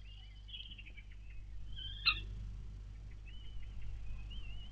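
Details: Four common kestrel chicks, hatched days earlier, being fed by their mother, 4 May 2022: wavering high whistled calls, a sharp click near the middle, then softer rising whistles over a steady low hum.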